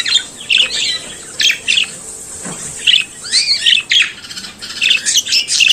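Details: Budgerigar, a small Australian parakeet kept as a pet, singing and chattering: scratchy, buzzy warbled notes around the upper range in short bursts separated by brief pauses, with faint background hiss.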